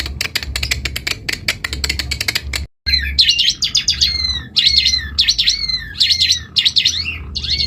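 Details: Energetic song of an Asian pied starling: a rapid series of sharp clicking notes, then repeated wavering whistled phrases with buzzy overtones, over a constant low hum.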